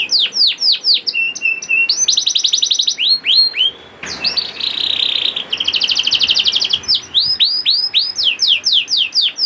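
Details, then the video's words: Young canary used as a singing lure for reluctant canaries: repeated falling sweeps, short flat tones, buzzy rolling trills alternating with sweep series, one brief noisy harsh burst midway. "PANCINGAN KENARI PAUD TERBUKTI AMPUH MEMANCING KENARI SUSAH BUNYI IKUT GACOR"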